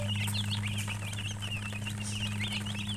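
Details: Chirping from a group of colored chickens, quick high wavering peeps tumbling over each other almost without pause, set against a loud constant low electrical hum.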